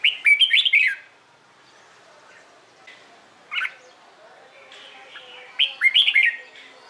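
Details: Red-whiskered bulbul singing its contest song in the morning: a rich warbled phrase of quick rising and falling whistles, a lone note after a pause, then another lively phrase.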